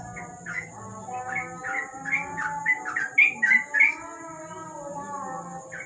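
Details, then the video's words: At night beneath a lamp, a sooty-headed bulbul delivers ropel-style song, a series of quick, rising and falling whistled notes that peak briefly in a louder burst, with a constant high-pitched whine and faint low hum behind. "Burung trucuk,An ropel malam hari dibawah lampu"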